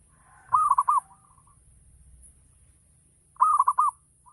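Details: Local zebra dove delivering ngayer-style song to stimulate other doves into calling: twice, a short burst of rapid rolling coos tails off into a gentle lower coo, in a quiet setting.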